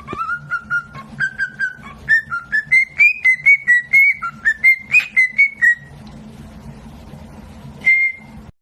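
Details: Pet cockatiel whistling a Mozart opera melody: pure pulsed whistled notes climbing stepwise in pitch, wavering and falling back, then a pause and a single bright whistle, with a low steady hum behind.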